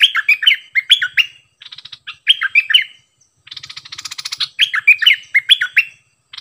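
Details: Cream-vented bulbul performing the doubled 'phleng boen' song, 18 June 2021: fluty, slurred whistles in quick phrases alternating with short buzzy, rattling passages, separated by brief pauses.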